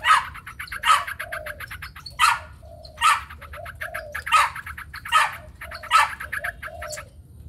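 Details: White-plumaged Chinese hwamei singing in a contest with spread wings: loud rasping bursts roughly every second alternate with fast ticking series, while low dove coos sound faintly behind.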